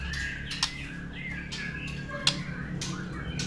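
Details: White-rumped shama giving clear whistled notes, mostly near the middle of its range. Some notes are level and some gently rising, with short gaps between them. Sharp clicks and a low steady hum run underneath.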